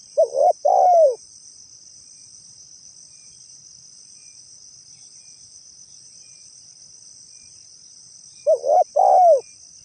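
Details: Wild-sounding spotted dove call suited for use as a bird lure: two-part mellow coos, a brief note then a longer falling one, given twice about eight seconds apart with quiet between. A constant high insect drone persists throughout.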